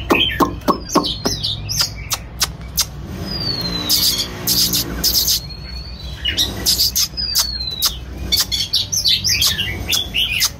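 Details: Dancing Oriental magpie-robin song: rapid dry clicks and ticks repeated throughout, interspersed with thin descending whistles and a few chirps.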